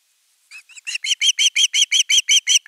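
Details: Osprey chick begging for fish at its nest: two hesitant soft squeaks, then a swelling train of loud, harsh, evenly spaced whistled cries, about three per second.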